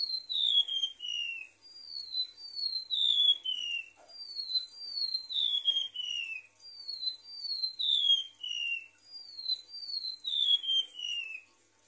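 A Golden-bellied gerygone sings high, thin whistles that slide steadily downward, given in short runs of falling notes roughly every couple of seconds. No other clear sounds.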